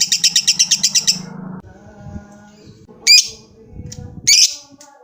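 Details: Lovebird giving a long trill, calling a rival: a fast series of sharp high chirps for about a second and a half, then quiet with low background hum and two separate shrill squawks.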